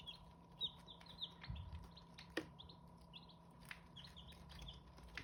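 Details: Hmong chicken chicks giving brief high peeps in small bursts, mixed with sharp clicks and knocks, over a constant low hum.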